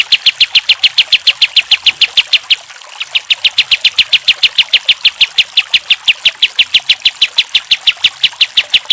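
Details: Pied triller, kapas tembak style, recorded as master song for training other songbirds: sharp, high notes hammered out in a fast, even series about four per second, briefly breaking off near the midpoint before resuming.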